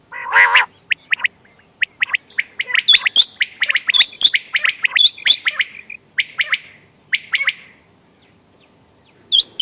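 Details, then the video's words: Quail calling for hunting, 14 May 2025: after one harsh squawk, a dense stream of thin, quick chirps and sharp high hooked whistles, several overlapping, fading into a pause before a final high note. "quail bird sounds bater ki awaz quail sounds 👌 🔥 بٹیر کی آواز شکار کیلئے quail bird"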